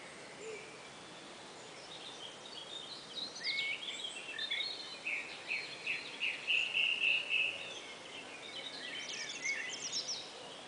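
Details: An unnamed bird whistling oddly, as if after eating a dry biscuit: thin, high whistled notes and short slurred phrases that grow louder midway, then fade, over a quiet hiss of background noise.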